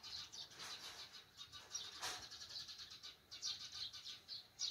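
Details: On a countryside morning, sparrows chirp in a busy, overlapping chatter of short, bright notes, several calls every second, with chickens crowing and clear wind amid a soft background hiss.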